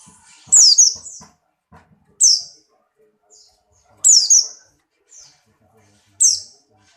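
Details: Buxtoni white-eye in strong breeding condition, hopping energetically: four short, loud, high-pitched slurred phrases about every two seconds, with soft clicks and light tapping sounds at the start.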